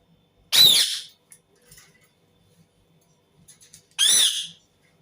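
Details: Indian ringneck parakeet screaming indoors: two loud, harsh, rasping screeches about three seconds apart, each roughly half a second long, with quiet faint clicks between them in a small room.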